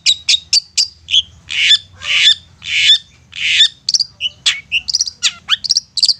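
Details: Long-tailed shrike lure song to get silent birds singing: rapid high chips, then four harsh buzzy rasping notes about half a second apart, followed by a quick mix of whistled slurs and sharp chirps.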